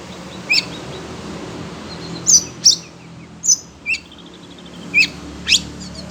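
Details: Oriental magpie-robin kept as a cage bird, reacting to other birds, utters short, piercing high chips in ones and twos, spaced about half a second to a second apart, against steady low hiss.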